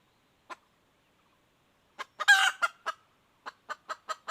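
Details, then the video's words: Calling female red junglefowl (wild hen), 2021: a lone cluck, a long silence, then two clucks leading into a loud harsh grating squawk, two trailing clucks, and a rapid regular series of six short clucks. "suab poj qaib qus tsauj dib tuaj zoo"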